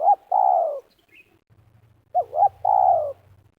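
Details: ['Spotted dove in Liwa, West Lampung, Indonesia, calling as birds are lured to snares, meruas style: a long falling coo ending one phrase, then a full phrase of two hooked coos and a descending note, with a faint low hum behind.']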